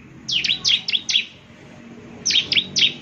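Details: Bar-winged prinia song meant to draw answers from other prinias: two short bursts of sharp, high downslurred chirps, about four notes each, separated by a second of quiet.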